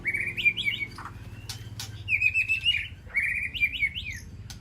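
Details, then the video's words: A white-rumped shama in an aviary, calling to its flock, gives quick bursts of clear, fluttering whistles and sharp chirps, three phrases in under five seconds, over a faint low hum. "Sound of White-rumped Shama Call to Flock"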